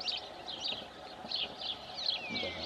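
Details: Rosy starlings at Congosto in June 2021: many overlapping harsh, scratchy chatters and short buzzy notes in quick succession, with one thin descending whistle near the end and a faint low hum beneath.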